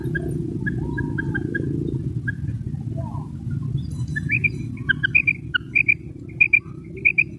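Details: Female common quail in Pakistan, heard past a steady low engine-like rumble: a few soft notes early, then clearer high paired notes repeating in short doubles over the final seconds.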